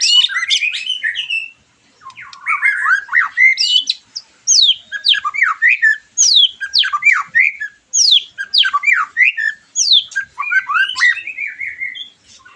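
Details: White-rumped shama, played to stimulate a bird after moulting; long continuous rich song of steep downward-sweeping whistles and harsh chattering notes, nearly unbroken, with one brief pause early on.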